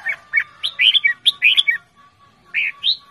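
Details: Red-whiskered bulbul, a cage bird, giving loud lively calls: a rapid cluster of bright warbled chirps, then a short pause and two rising whistled notes.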